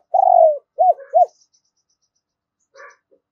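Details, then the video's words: Spotted dove kept as a decoy to call in other doves. It gives a long, rolling, falling coo and then two quick, arched, hollow notes, the double ending of giọng đôi, before a faint chirp. "Chim Cu Mồi. tiếng chim cu gáy gọi hai hậu hay nhiều anh em còn gọi là giọng đôi"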